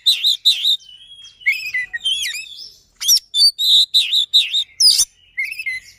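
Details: Lure song of a kacer (oriental magpie-robin) for silent magpie-robins, fast and dense: paired buzzy notes, a thin whistle, then a run of loud repeated harsh-edged phrases and rising slurs.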